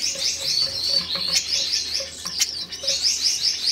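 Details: A red-headed Gouldian finch pair, caged and freshly paired for breeding in their third season together, courting: wavy, buzzy, high-pitched phrases rise and fall continuously over faint, regular low ticking.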